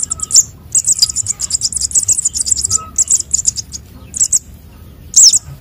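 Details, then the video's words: Sunbird chick calls used as a lure: rapid runs of very high, thin chirps and tweets in dense bursts, broken by brief pauses, ending in a sharper sweeping note, with faint low background hum. "suara anakan burung konin dan sogon untuk pikat"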